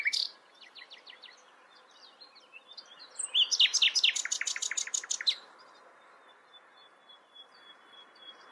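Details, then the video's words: Common nightingale singing: a short run of evenly spaced clicking notes, then a loud burst of rapid, rattling repeated notes lasting about two seconds, ending in a thin sustained whistle over quiet background. "Nightingale sings. Nachtigall singt."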